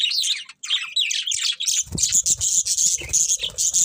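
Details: Pet budgerigars singing happily while eating: a steady stream of rapid chirps, squeaky warbles and clicks, with a brief pause near half a second, then denser chatter over low rustling and pecking sounds from about two seconds on.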